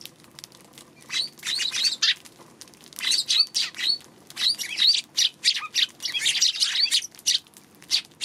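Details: Eurasian tree sparrow recorded on March 2 in lively chatter: dense, overlapping chirps and squeaky twitters run almost without pause, as though several notes are tumbling over one another.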